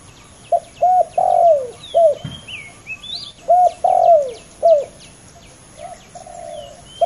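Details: Two male spotted doves competing fiercely on the ground, calling in turn: short arched coos and longer drawn-out notes that slur downward, grouped in two phrases with pauses, over faint high chirps of small birds.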